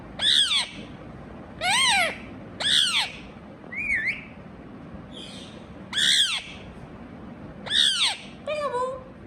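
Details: Indian ringneck parakeet giving loud, harsh, arched squawks roughly every second, with a few softer rasping notes and a descending whistled note near the end. Quiet indoor background.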